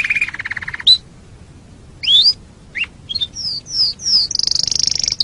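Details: Canary song recorded as a training master for other birds: a buzzy trill, then scattered sharp rising chirps and slurred whistles separated by pauses, ending in a rapid high rattle.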